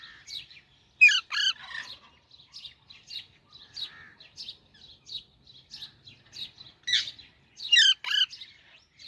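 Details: Baby Alexandrine parakeet chirping: a string of short, high chirps and squeaks, with two louder, harsher squawk bursts near the start and again about eight seconds in, quiet between notes.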